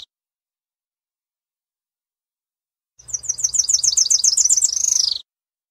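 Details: After nearly three seconds of silence, a tropical parula delivers one full song: a rapid string of sharp, very high chips, then a buzzy up-and-down flourish at the end. A faint earlier note opens the clip.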